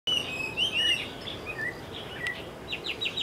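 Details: Taiwan hwamei at Caonanpo on 10 October 2013: loud, varied whistled phrases with slurred rising and falling notes, followed by quick downslurred notes, against mild background hiss.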